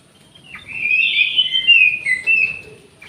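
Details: Orange-headed thrush in an aviary giving one sustained, rich whistled phrase that swells and wavers, with quick slurred notes run together for about two seconds before fading.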